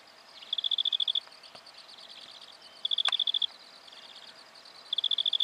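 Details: Black-fronted dotterel in Victoria, Australia, in October 2011: short bursts of rapid, clear, high ticking pulses, about ten per burst, repeated at intervals of around two seconds, with a soft hiss in the background.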